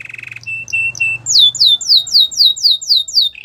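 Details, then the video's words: A white canary sings a training song that opens with a short buzzy trill and three brief level whistles, then breaks into a steady run of loud downward-sweeping chirps repeated evenly. "The best canary training song"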